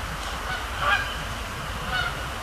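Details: Canada geese at night over Sapsucker Woods Pond, Cornell Lab of Ornithology, 26 October 2017, flying in and landing; two brief honks roughly a second apart against steady low-frequency rumble.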